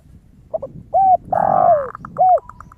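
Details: Zebra dove song, described as crystal-clear and used as a lure to prompt other doves to sing: a few soft, bowed cooing notes and a short trill, over low background rumble.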